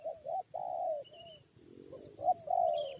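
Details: Spotted dove luring fight with wild birds: overlapping hoarse cooing with a lower muffled coo in the middle, then strong drawn-out coos, against a high whine and brief thin chirps.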